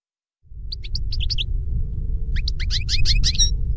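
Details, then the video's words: Goldfinch song meant to teach caged birds: a string of separate bright chirps, a short gap, then a faster run of rising, twittering notes over a steady low hum. "Canto de jilguero para educar /Goldfinch singing /Chant du Chardonnet Élegant"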